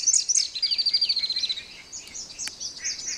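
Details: A splendid fairywren singing in the very early morning near Cape Naturaliste gives two sharp, very high notes, then a fast descending reeling trill lasting about a second, followed by softer scattered high chips.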